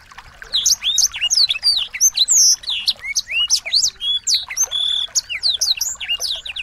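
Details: Nonstop medley of small songbirds, fast high chirps, downslurred whistles and occasional flat buzzy tones, meant for teaching a white-rumped shama to sing with energy.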